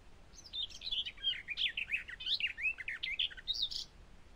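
A Eurasian skylark pours out a fast, unbroken stream of high, warbling and trilled notes that tumble and twist without pause.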